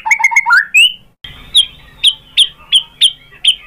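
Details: White-rumped shama song played to provoke other shamas into singing: rising whistled notes, then a series of sharp high chips repeated about every third of a second.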